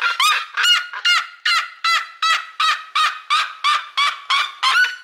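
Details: A seriema, a snake-hunting bird whose loud screams carry several kilometres, gives a fast run of loud, harsh yelps, about two or three each second, each with a ringing, honking quality.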